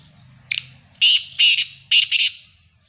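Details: Black francolin call, a brief first note followed about half a second later by a run of three harsh, scratchy, buzzing syllables, the final one doubled, loud and clear against near silence.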